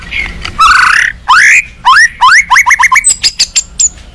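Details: White-rumped shama in an agitated mood, singing as a lure to make rival shamas reply: a rapid series of clear, upward-sweeping whistles, each slurred note repeated quickly, ending in thin, high, sharp notes.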